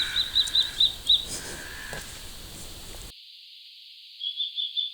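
A common kestrel gives a rapid string of shrill, high 'kee-kee-kee' notes, about four per second, then a second short burst after a brief pause.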